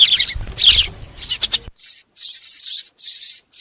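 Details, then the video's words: Sparrow flock call used for trapping: a run of scratchy high chirps over low rumbling, then a steady series of bright, buzzy chirp bursts about twice a second. "TIẾNG CHIM SẺ GOI ĐÀN DÙNG ĐỂ BẪY"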